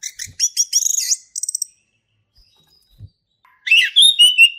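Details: Male orange-headed thrush singing a loud, fast song ('gacor ngeplong') used as a lure for young birds learning: bursts of clear whistles and rapid trills, a silent gap, then rich warbled phrases.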